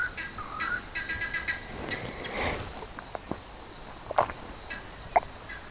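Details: A guineafowl gives a quick run of harsh, stuttering notes in the background, followed by clicks and rumble, in Pridelands Conservancy, Greater Kruger, South Africa, on the evening of 19 November 2021, with monkeys alarmed nearby.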